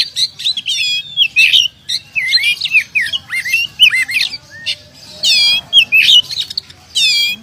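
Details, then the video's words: Champion contest oriental magpie-robin with past contest wins, singing a rich, varied stream of whistled, looping phrases and sharp squeaky notes high in pitch, broken by brief pauses, with faint low background hum. "Kacer Jawara Pernah Prestasi"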